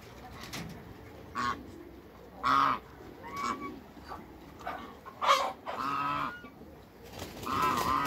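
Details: Giant African geese, a pair living in a backyard with other waterbirds, give a loose series of loud, harsh honks at irregular intervals, some clipped and some drawn out, over steady outdoor background noise.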